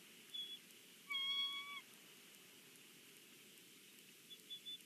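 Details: At the Big Bear nest, a bald eagle from the family at breakfast gives one drawn-out, level whistled call with ringing overtones, flanked by faint short chirps over a low steady rush.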